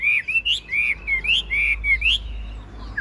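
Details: Tame caged Chinese hwamei with a golden bill and large body sings a run of clear, slurred whistled notes, several rising sharply at the end, over a faint low background hum.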